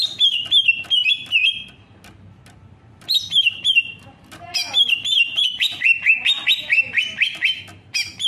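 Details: Singing greater green leafbird. Phrases of rapid, sweet whistled notes are broken by a pause of about a second. A long, lively sequence follows, with repeated rising-falling whistles mixed with sharp high chips and twittering.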